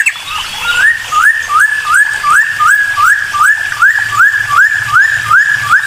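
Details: Bulbul song played to provoke a response from other birds: a steady series of slurred whistles rising then levelling off, repeated at an even pace of about two or three per second.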